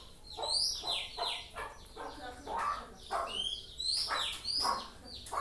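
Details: Young white-rumped shama learning to sing, a rapid, continuous warble of downward-slurred notes and high whistles, roughly two phrases per second.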